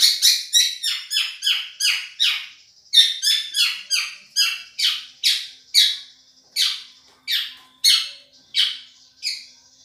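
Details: Madura-type Long-tailed shrike in champion-quality song gives a steady run of harsh, scratchy, buzzy notes, about two each second, high-pitched and grating, with no other sounds.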